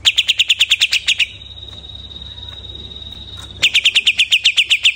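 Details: Freshly moulted greater green leafbird: fast rattling series of bright chirps, then a long steady high whistle held for over two seconds, then the rapid chirping resumes.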